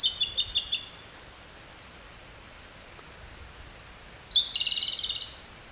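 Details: Two rattling trill phrases from a Japanese robin, each opening with a sharp high note and running in rapid even pulses for about a second, separated by several seconds of quiet hiss.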